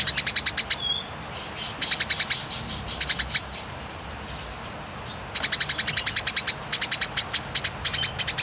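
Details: Eurasian tree sparrows in a fight: bursts of fast, sharp, high-pitched chips in long, clear rattles, broken by a quiet stretch of several seconds before a dense run of chattering.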